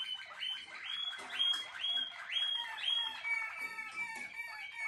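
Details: Malinois Waterslager canary, bred for song, repeating bubbling, rising whistled notes in a steady rhythm of roughly two per second, followed by lower softer phrases.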